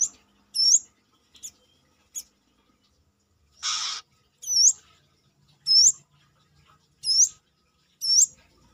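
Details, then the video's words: Brown-throated sunbird singing in full voice outside the cage: piercing, high, upswept chirp notes repeated roughly every 1.3 seconds, with one short hissy burst midway and otherwise quiet surroundings. "KORLAP (Kolibri kelapa)Manggar gacor luar sangkar"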